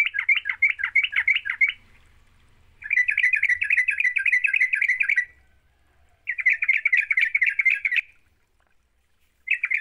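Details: Energetic 'gacor' Sooty-headed bulbul song meant to prompt a quiet bulbul to sing: dense bursts of rapid, bubbling chirps lasting two to three seconds each, separated by brief silences; faint low rumble at the start.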